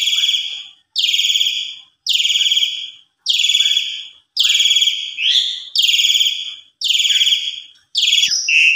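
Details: Javan pied starling song meant to provoke a reply: a steady series of eight rough, buzzy notes about once a second, with a brief rising whistle slipped in between two of them.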